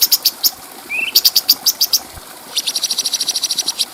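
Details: Bulbul known as cucak cungko, a clear-voiced master for training other birds: spaced bright chips, a low short upslurred note, then a steady fast series of high ticks.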